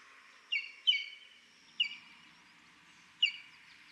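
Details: Call of a buff-crested bustard in Kenya's Buffalo Springs National Reserve, Samburu: clear, piping whistled notes, each briefly falling, delivered as a quick pair then two single notes about a second or more apart, with low steady background noise.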